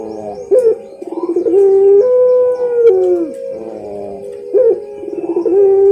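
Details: Puter pelung dove in a training model song: a rolling burr of rapid pulses leads into a long, level, sustained coo, and the pattern repeats twice in close succession.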